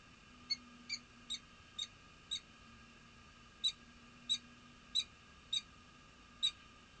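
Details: Peregrine falcons at Nottingham, England, 7 February 2013; short, clipped, high notes, about ten in seven seconds at uneven spacing, faint steady hum beneath.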